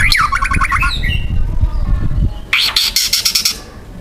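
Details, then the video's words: Young wild white-rumped shama singing loud, harsh material: a descending whistled phrase with fast stuttering trill, then a harsh buzzy rattle of rapid repeated strokes, with low rumbling noise underneath. "TEMBAKAN MURAI BATU MUDA HUTAN GACOR KERAS RAPAT MATERI KASARAN"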